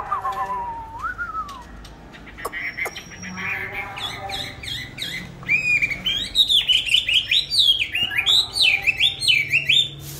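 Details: Pet songbird kept caged, bought 19 May 2020, singing in any setting: a low gliding whistle, a stretch of quieter clicks and chatter, then a loud fast series of bouncing looped whistles.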